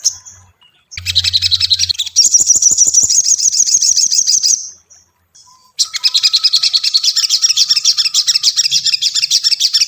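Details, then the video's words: Tailorbird lure song used to train a caged bird and provoke it into singing quickly: loud, high, rapid chattering trills and buzzy rattles, broken by a short pause, then a steady fast repeated chatter to the end. "SOGON PANCINGAN mp3 Cocok untuk melatih mental sogon lekas bunyi"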